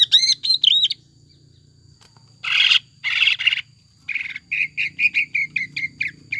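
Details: Lure song of a greater green leafbird, recorded to make a kept leafbird sing freely: a few looping whistles, then two harsh buzzy bursts, then a quick series of clipped chirps roughly every third of a second.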